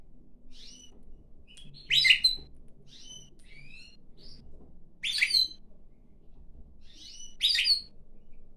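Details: Pet pine grosbeak singing while perched on its owner's hand, then flying onto the head: short high warbled phrases with brief whistled notes in between, loud bursts near two, five and seven and a half seconds, indoors.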